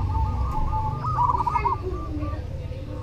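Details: Zebra dove of the cemani type, singing steadily: soft rolling cooing notes with a quick trill, partly masked by a heavy low hum.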